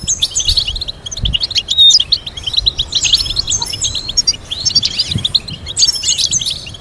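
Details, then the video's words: European goldfinch song meant for teaching goldfinches complex melodies: dense, rapid twittering with bright tinkling notes and short trills, a continuous liquid chatter with brief clearer whistles, faint low thumps underneath. "Teaching goldfinch to sing complex stimulating melodies"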